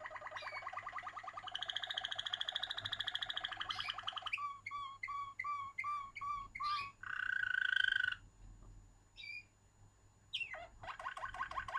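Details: Waterslager canary song: a long, fast, bubbling roll, then a series of clipped, bell-like notes, a loud sustained whistled tone, a short pause, and a renewed rolling trill, with a faint background hum.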